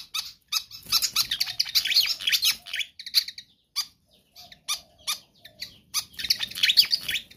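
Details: Energetic pied fantail singing, kept as lure audio for other birds: bursts of rapid, scratchy chatter mixed with thin high squeaks, several pauses between phrases, then a final busy burst.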